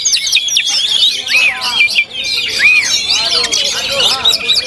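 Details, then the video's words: Oriental magpie-robin (kacer) at a songbird contest, a double winner; loud varied song of bright whistles and rising-falling slurred notes repeated about every second, over a busy chorus of other birds. "KACER CADAZ DOUBLE WINNER ISIAN TAK DI RAGUKAN LAGI"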